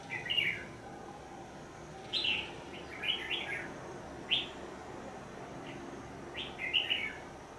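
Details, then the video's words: Red-whiskered bulbul used as a trapping decoy to recapture an escaped bird; bright whistled phrases repeated every second or two, some slurred downward, over steady low-pitched background noise. "Bẫy chào mào"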